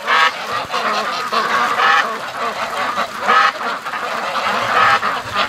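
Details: Hundreds of free-range ducks hurrying in a line toward the lake on a windy day; bursts of massed quacking swell and fade roughly every second, over a constant background of flock chatter.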